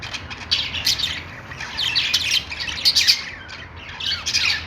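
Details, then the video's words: Budgerigars in a pet store, possibly with lovebirds, chattering together: a dense overlapping mass of high, scratchy chirps and squawks in bursts, with no pauses throughout. "budgies singing | budgie sounds | love birds sounds | parakeet chirping sounds in pet store"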